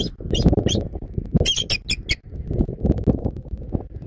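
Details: Southwest Florida bald eagle heard at its nest on 14 January 2024 at 06:36, giving a brief volley of sharp, high, squealing chips, five or six in quick succession, against low rumbling wind.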